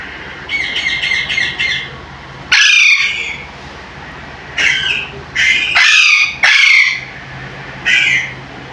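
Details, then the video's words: Pet Alexandrine parakeet calling loudly: a quick run of chattering notes, then loud, harsh, raspy squawks in bursts about a second apart, nothing else competing. "Parrot Talking || Parrot Sound || Alexander Parrot"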